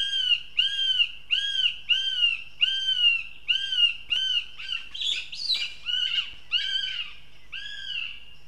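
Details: Near Riga in Latvia, a young female goshawk at her nest repeats harsh, down-curving wails about every two-thirds of a second, around a dozen in all, with a rougher, jumbled burst of calling midway through.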